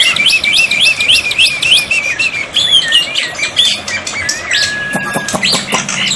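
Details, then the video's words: Tutor song of a black-winged myna, played with water therapy so quiet birds respond. A quick series of looping, rising whistles runs into a long flat whistle, backed by sharp clicks. "masteran burung jalak putih, jalak putih macet pasti nyaut"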